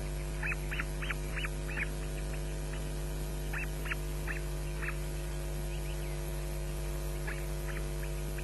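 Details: Nest-camera recording of osprey chicks at Loch Garten on a May morning in 2012, scrapping and shrieking for food. Quick runs of high piercing squeaks, four or five in a row, pause and return, all against a loud steady mains hum.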